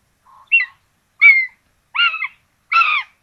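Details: Common buzzard nest in Tiszalök, Hungary, on 26 June 2022, with two chicks being fed rabbit; four brief, strong, slightly descending squealing calls come roughly every 0.7 seconds, growing louder.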